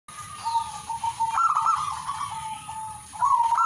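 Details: Zebra dove singing, a bird of a prized Katuranggan lineage: soft, steady cooing tones broken by a louder, bubbly trilled phrase midway and another at the end, over a constant faint high-pitched whine.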